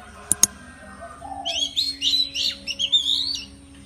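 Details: Oriental magpie-robin song in the morning, used as a lure to get birds singing keenly: two sharp clicks, then a rich, continuous run of varied high whistles, trills and chattering notes lasting over two seconds.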